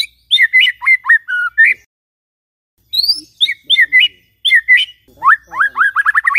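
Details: A white-rumped shama's morning song, used as a lure to get silent shamas singing: bursts of rich, varied whistles and chattering phrases sliding between mid and high pitches, with brief pauses.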